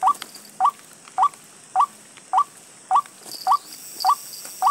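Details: A white-breasted waterhen, reportedly parted from its partner, repeats brief rising notes at a regular pace, nearly two each second. A thin high hiss runs underneath.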